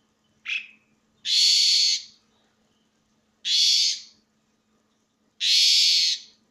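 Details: Asian pied starling calling loudly, giving a short high note followed by three long, harsh, rasping screeches, each lasting under a second and spaced about two seconds apart, with near silence between them.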